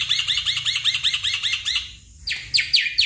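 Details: Song of a black-winged myna, used to coax a stressed, silent caged bird into singing: a fast run of repeated metallic chirps, about ten per second, then a pause and several loud sweeping squeaky notes.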